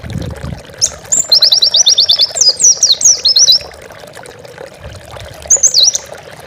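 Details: Oriental white-eye song recorded for training pet birds: a rapid trill of high repeated notes that turns into twisting chirps, then a brief twitter after a pause, with faint hum.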